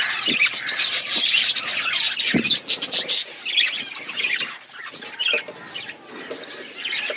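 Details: Colony of budgerigars giving a dense stream of squeaky chirps and warbles, with short clear high whistles dotted through the chatter and a few low taps.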